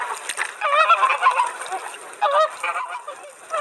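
Flamingo giving nasal, goose-like honks: a run of rough calls in the first second and a half, then another burst about a second later, with other bird calls faint behind.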